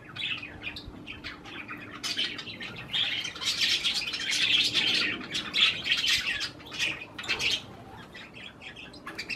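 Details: Budgerigars munching cherry tomatoes give steady, busy warbling chatter of harsh chirps that swells in the middle and fades near the end, over a faint low hum.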